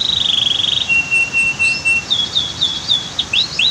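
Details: Canary singing by a waterfall and dam, opening with a rapid trill, then a long flat whistle, followed by scattered swooping notes over steady water roar.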